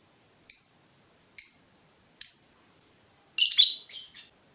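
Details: Lovebird in full voice, used as a lure for other lovebirds: three evenly spaced single high chirps about a second apart, followed by a short harsh double chatter.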